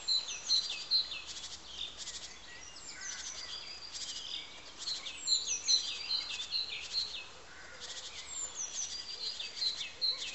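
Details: Nuthatch calling: short, sharp whistled notes given in quick runs of two or three, repeated throughout, with bursts of buzzy chatter from other birds in the background.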